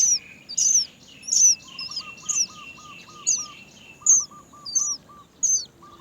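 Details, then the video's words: Many Great myna chicks give sharp, high, overlapping chirps about twice a second as they wait to be fed by their mother, who cannot find food; a lower, soft piping series repeats behind them. "Many Great myna baby birds are waiting to be fed by their mother"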